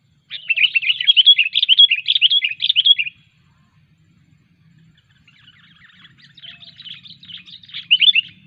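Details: Sooty-headed bulbul being trained, its cengkram: a fast, loud run of chattering, warbled notes for nearly three seconds, then a pause and a quieter, rambling chatter that swells into a brief louder burst at the end.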